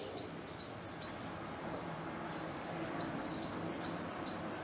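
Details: Great tit male in a Yokohama garden, 5 April 2013, singing strongly right above the nest box early in nesting to guard territory; two runs of quick, high, paired whistled notes repeated about five times each, with a pause between.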